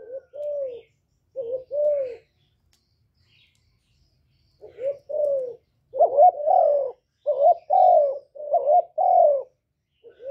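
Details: Spotted dove singing, recorded without background noise for rousing captive decoys; softer coos at first, a silent gap, then louder paired coos with burry short notes and longer falling notes, repeated rapidly.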